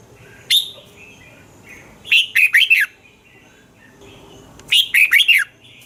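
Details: Thai red-whiskered bulbul song for stimulating caged birds: a single sharp note, then two phrases of four fast, looping whistles roughly two and a half seconds apart.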